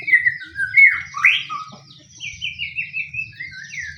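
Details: Lure song of a fighting pastol white-rumped shama, aimed at getting any shama to answer: loud slurred whistles up front, then a quick string of repeated high descending notes fading out, with low hum throughout.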